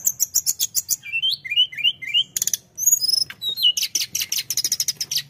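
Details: Rapid pulsed chirps from a tledekan, then a row of four rising whistled phrases, thin high whistles and a dense twittering burst, sung nonstop to provoke rivals.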